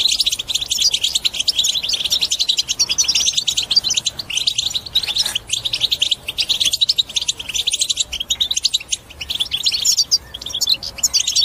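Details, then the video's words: European goldfinch song, played to encourage other birds to sing and break their silence: rapid twittering, tinkling and buzzy notes in long continuous runs, briefly pausing near five seconds. "بتبتة حسون الأقوى لتحفيز طيورك على التغريد وكسر الصمت"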